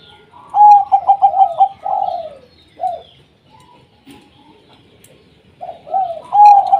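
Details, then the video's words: Zebra doves of the local type sing to spur silent doves into song: a rapid pulsed run of coos, short falling notes, a pause, then another rolling phrase building at the end. "Perkutut Lokal Gacor 100% JITU Ajak Perkutut Malas Bunyi Dijamin NYAUT LANGSUNG RAMAI"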